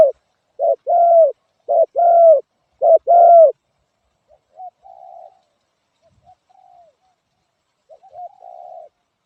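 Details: Spotted dove: loud pairs of short and long coos in the opening seconds, then fainter, more distant-sounding coos trailing off with long gaps.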